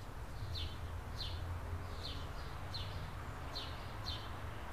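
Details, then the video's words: Nesting California scrub jay pair with three chicks, 2017; rasping short calls repeated at irregular intervals of about half a second to a second, set against a continuous low droning rumble. "Scrub Jay Family 4K Nest Documentary"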